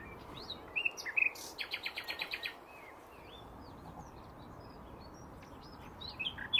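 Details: Song of nightingales in hedgerows at Braziers Meadow, Orwell Country Park: a few sharp whistled notes, then a fast rattling series of about seven clipped pulses, followed by scattered quieter whistles and a loud note at the end.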